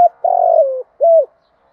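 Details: Spotted dove cooing in thúc gù style: a long, loud, pulsing coo that eases downward, then one short rounded coo, with quiet afterward.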